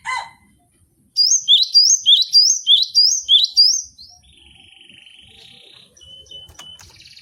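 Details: Cinereous tit singing for a cage-bird training recording: a brief low note, a pause, then nine crisp repeated two-note whistles, followed by a steady thin hum and faint clicks.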